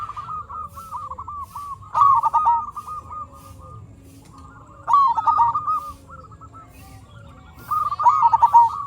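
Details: Local zebra dove singing steadily, a lure meant to stir other zebra doves into song: soft rolling coo sequences broken by three louder, denser bursts roughly every three seconds, continuous low background hum.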